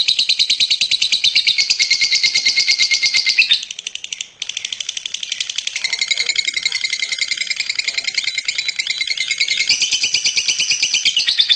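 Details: Champion lovebird in long, rapid, shrill chirping trills, briefly pausing midway, then resuming with an intense, continuous rattle.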